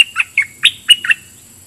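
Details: A caged red-whiskered bulbul acting as a decoy toward wild birds sings a brisk, chirpy phrase of five or six rich, warbling whistles in under a second.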